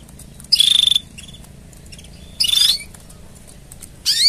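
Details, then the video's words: Canary mating song for training, in two buzzy, pulsed high trills about two seconds apart, then a rising sweep starting at the very end. "Tone Up Your Canary's Singing with These Mating Sounds!"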